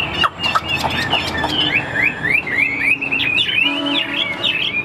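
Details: A kept Chinese hwamei (Garrulax canorus), offered for sale as a fighting bird, sings a rich, varied run of loud whistled phrases. Rising and falling notes repeat rapidly, with sharp clicks and background noise.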